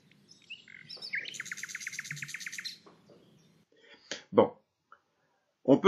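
A Common Nightingale sings a varied phrase: a few clear whistled notes, then a fast, rattling run of repeated notes lasting about two seconds. A man's voice follows.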